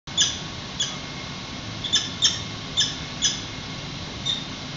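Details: Wild peregrine falcons at a San Francisco nest on April 6, 2021, at 5:05 pm, during hatching as an egg pips and the adults swap incubation, caught by a nest webcam: brief, high, thin chips, single or paired, scattered every half second to second over steady background hiss.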